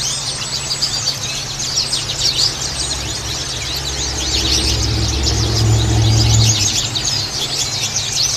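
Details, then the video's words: White-eye song used as therapy to get caged white-eyes to start singing quickly and often: dense, continuous high twittering of overlapping quick chirps, with a steady low hum and a vehicle-like rumble swelling midway. "terapi pleci agar cepat ngalas"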